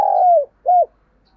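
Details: Decoy coo of a spotted dove for luring doves: one long, smooth, slightly falling coo followed after a short gap by a brief arched closing note, in quiet surroundings.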